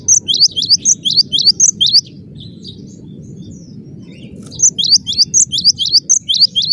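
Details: Cinereous tit singing energetically in a dense, fast delivery: bursts of high, sharp paired notes repeated rapidly for about two seconds, a quiet gap, then another quick run of the same notes over a low background hum.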